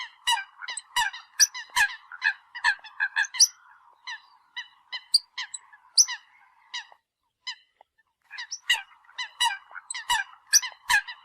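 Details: Eurasian coot decoy calling: many short nasal notes and sharp high clicks in busy bursts over a steady low hum, with a near-silent gap before calling resumes.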